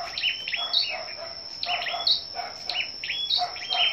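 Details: Scarlet-backed flowerpeckers gathered for a morning song session on 10 May trade thin, high, sharp chirps in quick bursts every second or so, over a steady high-pitched electronic whine.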